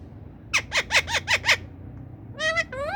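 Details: A green ring-necked talking parrot, kept with a newly acquired parrot, gives six harsh, rasping squawks in quick succession, about five a second. Two clearer, voice-like whistled notes follow, rising at the end.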